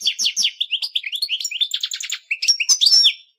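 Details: European goldfinch song in 8D audio: a continuous stream of rapid liquid twitters and slurred chirps, ending in a higher buzzy trill with a clear whistled tone before fading out.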